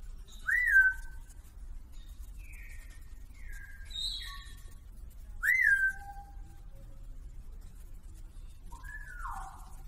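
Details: A pet lorikeet indoors gives clear whistled notes: short down-slurred whistles, two louder rising-then-falling whistles near one and five seconds, and a longer descending whistle at the end, over a steady low hum.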